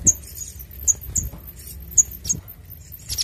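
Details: Little spiderhunter (sogok ontong), a clear-voiced bird in shooting 'nembak' style used for luring and tutoring, gives a handful of sharp, very high, short chips at uneven intervals over a quiet low hum.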